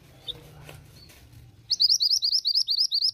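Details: A female pied bushchat calls to get males to respond. After a quiet start with faint low hum, a rapid run of about a dozen high, looping squeaky notes ends the recording.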